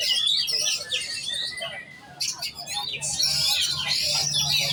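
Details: Kacer or oriental magpie-robin in giras competition singing: quick high whistles and trills, a brief quieter pause, then a renewed dense burst of bright notes.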